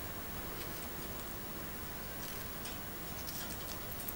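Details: Steady hiss of room noise with faint ticking and no clear voices.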